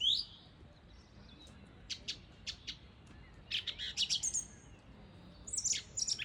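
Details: Song thrush singing: a high whistled note, then a short, sharp phrase repeated four times at even intervals, followed by busier, twittering, high-pitched phrases. Quiet background.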